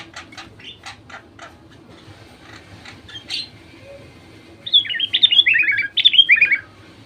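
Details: Sooty-headed bulbul lure song meant to prompt other bulbuls to sing: after a few dry clicks, two bubbly bursts of quick warbled, falling whistled notes, each lasting about a second.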